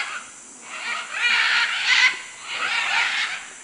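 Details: Macaws in Manu, Peru, uttering drawn-out, rough, wavering screeches, three main bursts rising and falling in loudness, with constant insect hum in the background.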